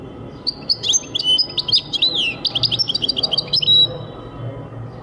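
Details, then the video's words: Goldfinch song from 2023, a lively run of high, tinkling twitters and short liquid slurred notes lasting about three seconds over faint low background noise. "goldfinch singing chardonneret jilguero singing 2023"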